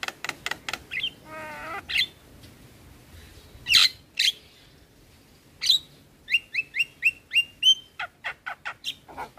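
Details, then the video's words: Black-winged starling in a tutoring recording meant to lure and train other starlings into lively singing. Sharp clicks, a wavering trill and a run of rising whistled chips repeated about twice a second. "Masteran Dan Pancingan Burung Jalak Kebo dan Jalak Lainnya - Jalak Kebo Gacor"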